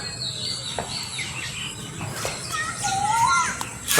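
An Asian koel gives a clear, rising whistled note amid a chorus of higher chirps and twitters from other birds, with some background noise.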